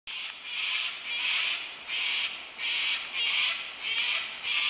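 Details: Cockatoo flock flying over the Blue Mountains, Australia: harsh, raspy screeches repeated about every second in long overlapping bursts. Steady calling fills the clip with no other clear sounds.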